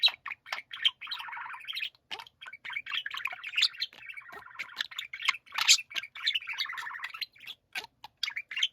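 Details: Pet budgerigars warbling as a group, with overlapping chattering phrases, buzzy rolling notes and quick high chirps in a continuous stream with brief pauses.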